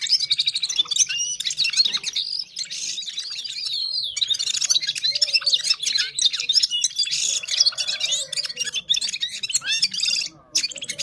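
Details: Parachinar Gulsar in full song, a long, unbroken torrent of fast, varied twitters and bubbling chirps with brief whistled glides, delivered with barely a gap for eleven seconds.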